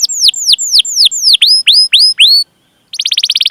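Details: Canary 'cuit cuit' chirps used to lure young or quiet canaries into singing. Loud falling whistles give way to curved notes that dip and rise again, then a brief silence and a quick buzzy trill.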